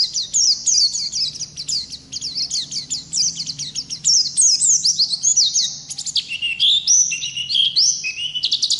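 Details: Oriental white-eye from the wild in full continuous song, a fast stream of high, sharp downslurred chirps followed by longer bright whistled phrases that step up and down in pitch.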